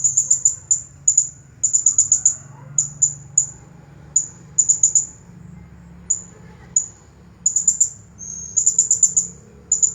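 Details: Champion blue-crowned hanging parrot singing nonstop in the 'Nagih Hutang' style: very high, thin, sharp chips in quick bursts of two to five, with short pauses between runs, over a faint low hum.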